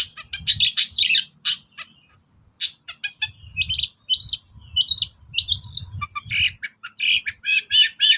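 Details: Energetic long-tailed shrike song used as a lure for shrikes that will not sing: fast runs of varied chirps, harsh chatters and brief whistled notes, with a short pause before more rapid phrases.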